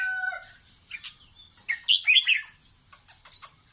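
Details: Red-whiskered bulbul singing to teach its chicks: begins with smooth whistled tones, then builds into a loud, tumbling cluster of warbled notes, followed by a few sharp chirps.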